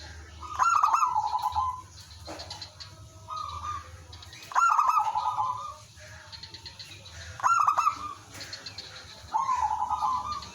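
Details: Village zebra dove used as a lure, the others all answering: four loud bursts of fast clicking notes each running into a rolling trilled coo, with quieter reply phrases between them.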